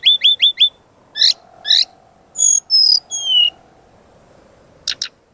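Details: Brown-chested jungle flycatcher in energetic training song. It opens with four quick rising chirps, then two harsh buzzy bursts, then high thin whistles sliding downward, and after a pause a final short buzzy burst. A faint steady hum sits underneath.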